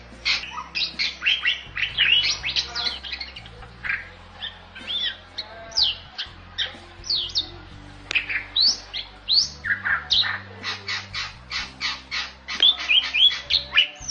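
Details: Bali myna, a protected bird growing rare in the wild on Bali, singing a long, rich medley of sweeping whistles, chirps and rasping notes in bursts with short pauses.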